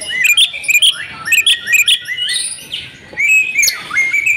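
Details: Female Oriental magpie-robin used to stir silent males into singing, giving clear whistled chirps and upslurred notes in short bursts, followed by softer, longer sliding whistles. The background is quiet.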